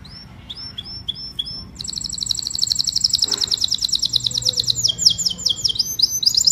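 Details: Canary song used to call the flock, opening with a few short high whistles, then a long rapid rolling trill, finishing with quick downward-slurred notes.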